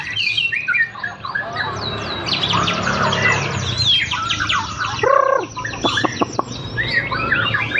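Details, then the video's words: Champion white-rumped shama tested on the street sings rich overlapping whistles and fast buzzy trills, then several sharp loud downslurred notes after a low harmonic blast, over steady traffic noise. "Murai batu test mental juara di taruh bawah di jalanan"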